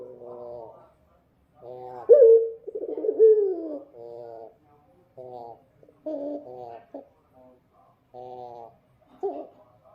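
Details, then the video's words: Dove singing at night: low, rough cooing phrases with a nasal, reedy tone, broken into short bursts and separated by brief pauses, one longer warbling coo in the middle. "suara burung puter malam hari//midnight show singing bird dove//"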